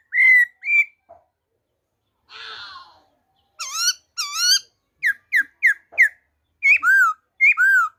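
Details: Black-throated laughingthrush, wild-type song, 26 December 2020: clear whistled notes, a raspy burst, loud harmonic rising notes, then a fast series of short punchy whistles and a few curving, drawn-out ones.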